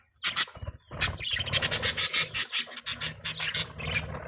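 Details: Budgerigar chirping: a brief pause, then a fast run of scratchy, high-pitched chattering notes repeated about three times a second, with a faint low hum underneath.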